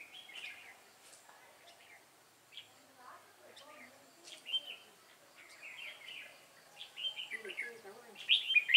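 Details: Red-whiskered bulbuls at a trap with a decoy bird, giving scattered short warbled chirps that build into a denser burst of bright notes near the end, with low human voices talking nearby.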